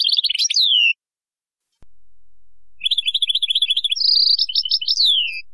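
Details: Goldfinch singing Baynam Ghazarat song meant to teach fledglings; quick, bright twittered phrases, a pause, then rattling trills and a descending slurred note.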